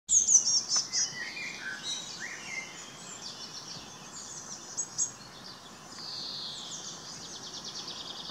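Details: Eurasian blue tit on a serviceberry tree in Munich's botanical garden gives thin, very high-pitched notes, then a buzzy, fast-repeated churring rattle, over a steady low background hiss.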